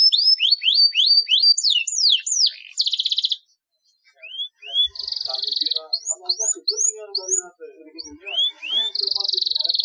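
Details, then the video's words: Canary in full song with long rolls, used as training to make lazy canaries sing. Rapid rising whistled sweeps repeated quickly, then buzzy sustained trills. After a short silence come more sweeps, low warbling and another long trill. "KENARI GACOR NGEROLL PANJANG"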